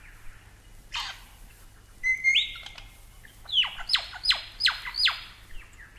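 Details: A Superb Lyrebird in Australia gives a harsh burst, a rising whistle, then five loud, clear notes sweeping steeply downward about three times a second.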